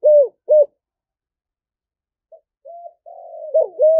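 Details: Decoy spotted dove, 'giọng thổ' voice, calling to two females: two loud arched coos, a silence, then quiet lead-in notes rising into a long burry coo.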